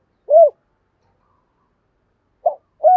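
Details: Spotted dove lure cooing aimed at attracting wild doves: one rounded low coo, a long silence, then a short note and the start of another coo.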